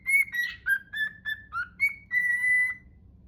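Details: Captive cockatiel attempting the Totoro song it imitates imperfectly: a run of short pure whistled notes, slightly rising and falling, ending in one long steady held whistle, over a faint low background hum.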